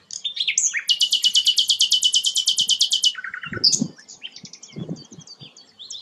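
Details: Sikatan londo flycatcher singing actively: a long, fast, even rattle of about twenty high buzzy notes over two seconds, followed by a twittering jumble, with low knocks in the background.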